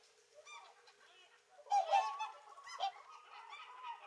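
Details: Whooper swans feeding on a winter lake in Kuusamo, Finland, give loud, bugling honks, a few overlapping trumpet notes with softer calls from other birds between them.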